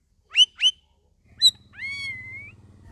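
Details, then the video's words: Captive straw-headed bulbul (cucak rawis) in vigorous (gacor) song, second week after a shared group cage: two quick rich whistled notes, a third higher note, then a long steady whistle over a low rumbling background. "CUCAK RAWIS DARI OMBYOKAN MINGGU KEDUA SUDAH GACOR"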